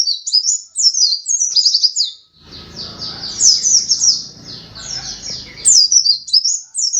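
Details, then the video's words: Runner-up pleci dakun white-eye in full song: fast, high, chattering twitter of repeated slurred notes running continuously, with a burst of low rumbling noise in the middle. "pleci dakun macok juara 2 gacor dor"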